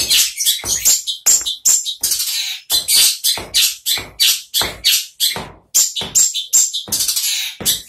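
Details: Long-tailed shrike kept in a cage, bursting into vigorous song as soon as the cover comes off. It gives a dense stream of sharp, rasping high notes and chirps, rapidly repeated and irregular, with short bright whistled fragments mixed in.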